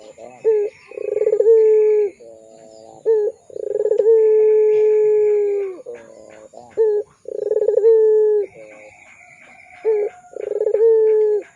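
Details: Lure recording of a vigorously calling Barbary dove (puter pelung) for training young doves: deep resonant coos with brief introductory notes and long sustained falling tones, about four phrases, over a thin constant high-pitched hum.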